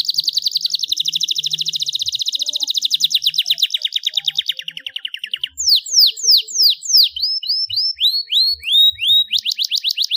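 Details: Energetic gacor singing from a Starblue panda canary: a long fast trill of rising-falling notes slows and fades, then gives way to loud, separate down-slurred whistles and curling chirps.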